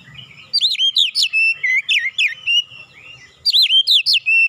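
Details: Oriental magpie-robin training-lure song with imitated cinereous tit (glatik batu) song: a strong, nearly continuous string of looping, whistled notes, a brief lull, then another loud flourish.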